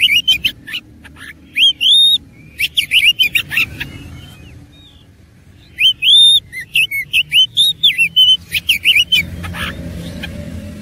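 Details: Persistent fighting song of an oriental magpie-robin with rich 'isian' fill: clusters of hooked, looping whistles and sharp chirps, a silent spell near the fourth to fifth second, then another energetic run of curling notes.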